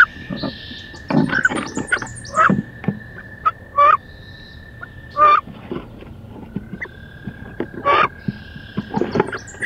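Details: Two female wood ducks fighting fiercely inside a nest box on 16 May; short squealing calls every one to two seconds among scuffling and thumping, with a steady electronic whine throughout.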